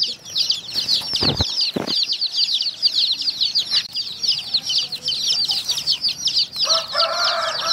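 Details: Many baby chicks drinking water, with dense, overlapping high-pitched peeps that sweep downward in a constant chorus. Two short dull knocks come early, and a lower, harsher call joins near the end.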